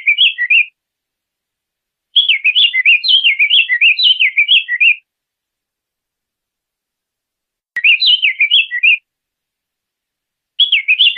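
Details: Diademed tanager singing repeated bouts of rapid, liquid warbled whistles, each phrase lasting one to three seconds and separated by silent pauses, with four phrases in all.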